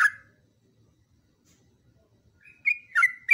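A Yellow-vented Bulbul gives one short note, then after a pause a quick bubbly phrase of mid-pitched gurgling notes. No other sounds.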